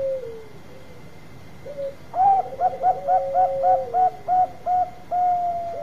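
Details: Bangkok-type zebra dove song: soft falling coos, then a loud run of about ten short, evenly spaced cooing notes roughly two per second over a quieter lower trill, ending on a held tone.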